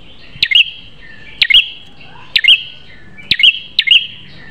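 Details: Prinia song meant as a master recording for kept birds: five clipped high click-chirp phrases, about one per second, over a faint continuous high tone.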